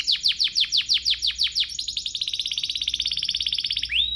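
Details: Canary song used to provoke other canaries into singing: a series of loud descending sweeps about five per second, melting into a rapid fine trill and ending with a rising whistle.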